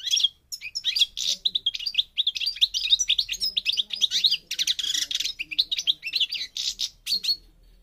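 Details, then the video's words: North African goldfinch, parva form from Morocco, pouring out a long, sustained phrase of rapid liquid twitters and trills lasting about seven seconds, with a harsher buzzy patch partway through before ending abruptly. "The Goldfinch's Song North Africa - Parva Morocco Bird Song"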